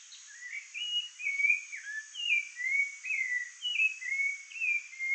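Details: Rufous-bellied thrush singing near its nest while guarding the area, a fast, regular sequence of bright whistled notes, each sliding down in pitch, roughly two per second, over faint steady hiss.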